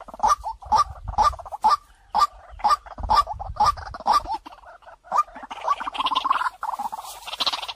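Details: Decoy recording of a white-breasted waterhen for luring: a run of evenly spaced, clear kwak notes about twice a second, breaking into a denser, jumbled burst of calls with hiss at the end.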